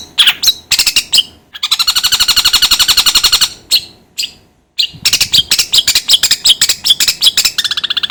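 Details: A long-tailed shrike sings as a lure to set another bird singing: a long dry, buzzy rattle, short silent gaps, then quick harsh chattering notes.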